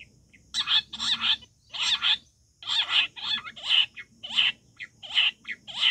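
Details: Wild quail giving loud, raspy, high-pitched calls in paired or grouped bursts, each lasting under half a second and repeated roughly every half second to second, with short silent gaps between.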